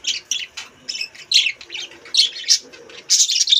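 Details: Budgerigars in a breeding colony where pairs are laying eggs: dense chattering chirps and squawks in quick irregular bursts, bright and scratchy, overlapping from several birds with brief pauses between bursts.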